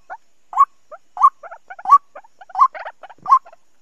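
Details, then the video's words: Softer white-breasted waterhen lure call for trapping, 2020 season: rising nasal notes roughly every two-thirds of a second, interspersed with quieter clucking fragments. "Tiếng Quốc Bẫy. Cuốc chuẩn bao dính mùa 2020"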